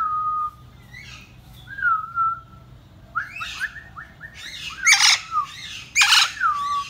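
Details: Indian ringneck parakeet kept as a pet, giving clear whistled notes that slide down and level off, mixed with short rising-falling whistles and several harsh broadband squawks.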